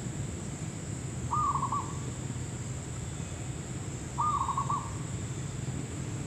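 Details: Zebra dove, known locally as perkutut lokal or merbuk kampung, heard while being trapped: two short stuttering trilled coos about three seconds apart, over heavy low rumbling background noise and a constant high-pitched whine.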